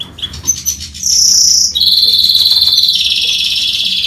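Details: Goldfinch and canary hybrid singing: a few short chips, then sustained high buzzy trills, each held for about a second and stepping down slightly in pitch, with music faintly behind.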